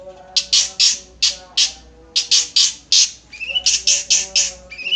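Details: Long-tailed shrike, locally called cendet nogosari, giving a harsh song of broadband rasping notes repeated in quick bursts, mixed with a few rising whistled notes near the end.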